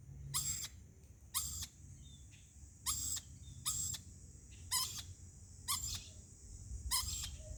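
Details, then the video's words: A lorikeet gives harsh, rasping screeches, seven short bursts about once a second, over a steady high-pitched hiss and low background rumble; the owner is unsure why it makes this noise. "Lorikeet making this noise"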